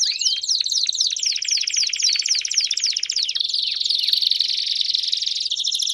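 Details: Several Belgian canaries in song: fast falling whistled notes packed closely, followed by a rich rolling buzzy trill, many voices overlapping.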